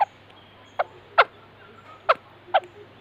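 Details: White-crested laughingthrush calling in brief, slightly nasal chucks at uneven spacing, five notes in three seconds, against a low steady hum.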